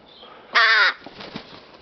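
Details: A rook playing with a feather and a flower lets out one loud, rasping caw lasting about a third of a second, followed by faint rustling.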